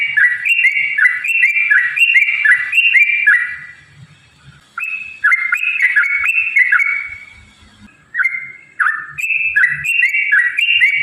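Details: Energetic yellow-vented bulbul song for provoking other bulbuls to sing: three long runs of repeated warbling whistles, each note dipping and rising, separated by short pauses.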